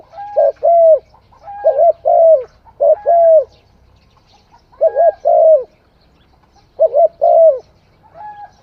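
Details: Spotted dove cooing: a soft, mellow phrase of three or four low coos, repeated about every two seconds, in a quiet setting.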